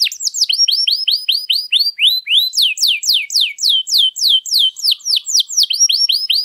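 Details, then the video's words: Canary with long, elaborate song used to stimulate and teach other birds: steady series of hooked whistled notes, several per second, varying between rising and falling sweeps, clear and continuous. "Kenari Gacor Panjang Lagu Mewah, ampuh buat pancingan atau masteran"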